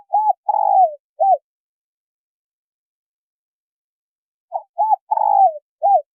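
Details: Female spotted dove coo used to stimulate a male. Two matching phrases of brief coos around a long wavering downward coo, separated by about three seconds of silence.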